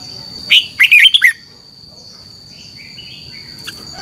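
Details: Red-whiskered bulbul performing morning competition song, used to excite other birds into singing: one sharp phrase of four to five rich, falling whistled notes, then quiet with faint distant chirps and a constant high tone.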